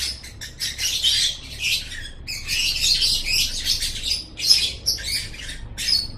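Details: Lovebird song from a masteran recording, meant as a model for training pet birds' voices: dense, buzzy, high chattering in rapid bursts with short gaps, fairly steady, no other sounds clear.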